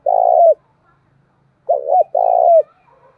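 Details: Decoy spotted dove cooing to challenge rivals: a long steady hoot, a pause, then a full phrase of two short rounded notes and a drawn-out low coo with a downward finish.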